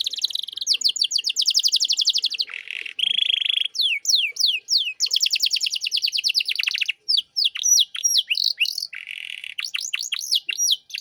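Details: Canary master song for young cage birds: extended rapid trills of sharp descending notes, a buzzy rasp, varied whistled slurs and renewed rolling trills, loud and continuous.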